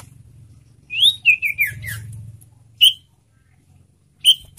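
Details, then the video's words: Caged golden-bellied gerygone (sirtu) singing: a run of high, thin whistled notes sliding downward, then a pause and two separate short clear whistles, with a faint low hum beneath. "burung sirtu gacor suara lantang dan nyaring"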